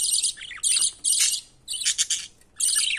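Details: Budgerigar baby being fed by the male parent, uttering four or five harsh, wheezy rasping bursts, each under half a second, with short gaps between.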